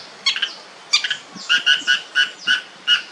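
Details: Long-tailed shrike giving a series of harsh, nasal, squawking notes, each a short rasp spaced roughly every third of a second, with faint background hiss.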